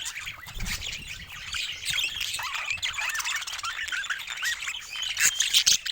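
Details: Pet budgerigars chattering together, a dense overlapping stream of scratchy warbles, squeaks and short whistled notes, with a faint low thump near the start.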